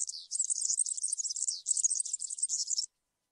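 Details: High, tinkling campero song of the European serin: a hurried, buzzy twitter with one short pause, then a second burst that ends sharply, followed by silence.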